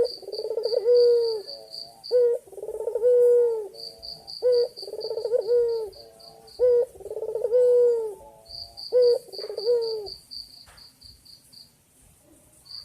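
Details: A male white ringneck dove repeats his low coo to call a female: a clipped opener, then a rolling purr and a level drawn-out tone. Calling stops after about ten seconds. Rapid high beeping runs through much of the recording.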